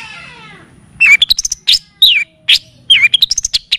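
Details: Pentet or long-tailed shrike in a lure and tutoring recording of the kapas tembak and cililin style: a fading harsh buzz, then sharp, sliding whistles and quick twittered notes in uneven bursts.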